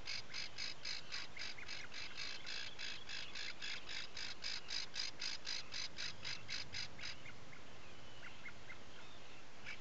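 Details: Atlantic puffin nesting burrow, Seal Island National Wildlife Refuge, Maine, 12 July 2018 around 4-5 a.m.: a steady train of rough, buzzy pulses about four per second for seven seconds, then stopping, leaving faint short chirps and hiss.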